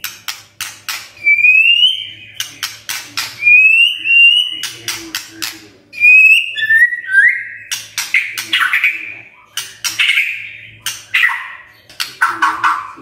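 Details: Magpie-robin song used as a lure to get birds singing energetically: long rising whistled slurs and buzzy trills, alternating with sharp clicking bursts, phrases repeating roughly every few seconds.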